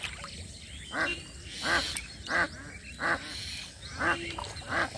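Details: Duck calling from the side of a muddy pond in a rural village as a boy gropes for catfish; six clear, raspy quacks, evenly spaced about every 0.7 seconds, with soft water sounds behind.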